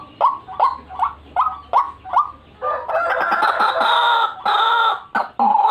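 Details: White-breasted waterhen calls recorded for luring birds: a run of harsh, rising notes repeated about twice a second, then a dense, overlapping chorus of rough, nasal calls.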